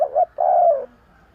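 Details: Close spotted dove coo, used as a bird lure: a quick double hoot and a long smooth falling note, low and mellow.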